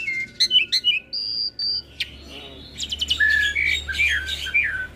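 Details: Caged hybrid starling, Asian pied starling crossed with Jalak Nias (ASSU), singing as a master recording used to train cage birds: clipped whistled notes, a long steady high whistle, then a dense run of buzzy chatter and falling slurred whistles.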